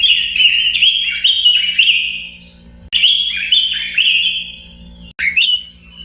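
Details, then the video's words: Robin singing three bursts of quick, clear whistled notes that rise then slide down, each burst trailing off, with short silent breaks between. "kicau burung robin"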